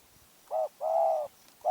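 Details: Spotted dove from Phrae, Thailand, said to be small-voiced and fierce. It gives quieter, hollow coos, a short note then a longer one, over a faint background hiss.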